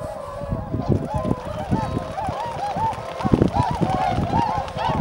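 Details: A flock of tundra swans gathered at Shiotsuhama, Lake Biwa, Japan, on 3 March 2012 before migrating north, gives a dense chorus of soft, mellow, arched honking calls overlapping continuously over a low wind-like rumble.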